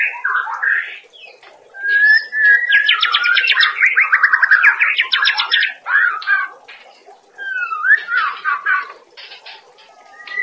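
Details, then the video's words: White-rumped shama training song for cage birds: slurred whistles lead into a long rapid buzzy rattle, then varied warbled notes and short harsh bursts, with a low background hum. "Masteran materi harian burung murai batu di jamin gacorr"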